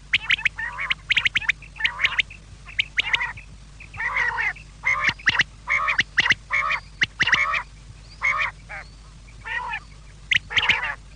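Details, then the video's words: Quail call for the evening, heard as a long run of short, rasping, nasal bursts repeated about every half second to second, with brief gaps and a low background hum. "شام کیلئے بٹیر کی صاف آواز"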